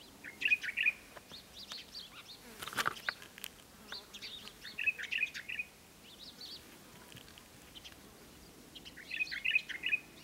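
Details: Green bee-eater at Wadi Bih, UAE, on 5 February 2013: short rolling trilled call phrases, high and slightly buzzy, given in bursts about every four to five seconds, with a brief rustling knock in between.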